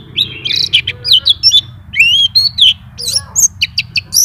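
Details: White-eye in full, nonstop song showing its repertoire: a jumble of high chirps, twisting whistled slurs and brief buzzy notes, quick and irregular, over a low humming background.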